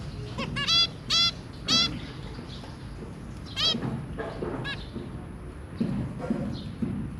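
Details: Zebra finch family of two adults and three young, 23 January 2022: three loud nasal honking beeps early on, then scattered softer calls and low background rumble.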